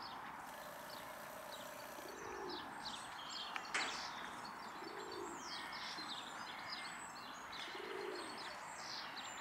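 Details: Common wood pigeon giving soft, low hooting coos about every three seconds under a busy chorus of high chirps and twitters from small songbirds, in Tivoli landscape park, Ljubljana, on 7 March 2024.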